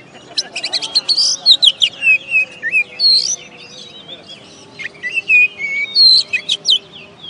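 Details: Caged oriental magpie-robin, a first-place singing contest champion from West Kalimantan, Indonesia, delivering a rich, fast song of sweet whistles, sharp rising and falling slurs and brief chattering notes in quick bursts, with a low steady hum beneath.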